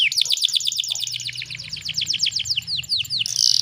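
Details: Canary, used as a female-canary lure recording to stimulate males to sing; rapid series of high descending chirps repeated about seven per second, ending in a brief bright buzzy burst, with faint low hum underneath.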